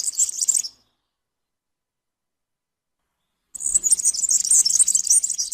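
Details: European serin song: a quick, shrill, tinkling stream of buzzy twittering notes. It starts briefly, pauses for a few seconds, then returns for about two seconds, with faint low rustling underneath.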